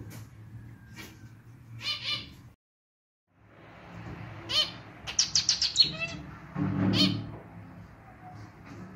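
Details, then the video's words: Zebra finch male in a clarinet-style song, kept at home: scattered nasal notes, a brief silence, then a quick rhythmic cluster of buzzy harmonic notes and a final noisy burst over low hum. "Canto do Diamante Mandarim (estilo clarinete)"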